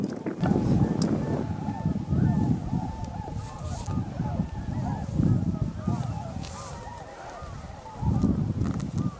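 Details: Roughly 15,000 greater white-fronted geese arriving at their evening roost at Miyajimanuma, Bibai, Japan, on 11 April 2016 around 18:00–18:30; a dense, continuous chorus of overlapping honking calls over a low rumbling background.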